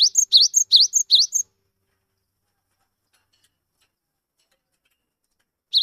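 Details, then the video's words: Skittish 'wingko' cinereous tit, kept as a lure to get silent tits singing: five quick high two-note phrases, then over four seconds of silence before one more phrase begins. "GELATIK BATU GIRAS TAPI GACOR COCOK UNTUK PANCINGAN GELATIK BISU"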